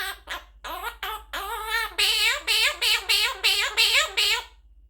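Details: Young Quaker parrot, a talking baby bird, gives a run of rapid, rising-and-falling nasal syllables that turn into about eight loud, evenly repeated squawky phrases, each roughly a third of a second apart, in a small room.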